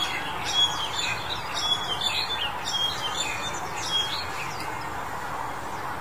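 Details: Warbling White-eye recorded during the pandemic in February 2021, giving faint, thin, high chirps scattered every second or so over a steady broadband background hiss.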